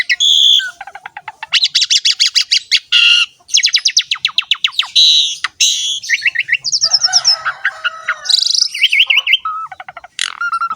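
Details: Lively song of an Asian pied starling, dense with rapid chattering trills, harsh rasping bursts and squeaky whistled notes running together almost without pause.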